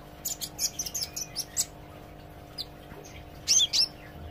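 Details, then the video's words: Olive-backed sunbird practising its singing: a quick run of high, dry ticking chirps, a pause with a few faint notes, then two louder sharp, slurred whistles near the end. Low hum in the background. "suara kolibri ijo belajar gacor & ngobra"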